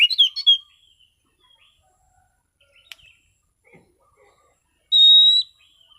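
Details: Relaxed 'ngeplong' singing from an orange-sided thrush: a brief cluster of bright chirping notes, scattered faint ticks, then one long, steady, pure whistle held for about half a second.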